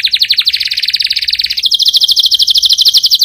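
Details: Canary song opening with a rapid chattering trill and moving into a steady, high, evenly repeated trill of crisp notes.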